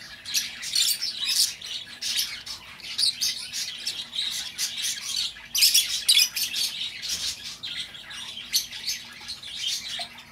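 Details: Lovebird chatter for luring home an escaped bird: a steady stream of sharp, high, buzzy squeaks and chirps, busiest around the middle.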